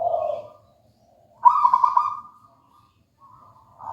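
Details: Local wild-type zebra dove (perkutut lokal alam) singing actively: a soft rolled coo, then a louder bubbling, trilled coo phrase about one second long after a pause, and the start of another at the end; faint low hum underneath.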